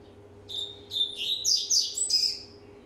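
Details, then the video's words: Rusty-collared seedeater, a caged male one and a half years old, warming up its song: a short phrase of bright whistled and chirpy notes in rapid clustered bursts, rising and falling, with a faint steady hum behind. "COLEIRO PROMETHEUS, 1 ANO E MEIO DE VIDA, ESQUENTANDO"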